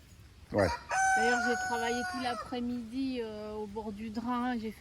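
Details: During a heatwave, a rooster in a wetland area below a house crows a long, harmonic cock-a-doodle-doo lasting about four seconds, wavering and falling slightly at the end, after a brief scuffing sound.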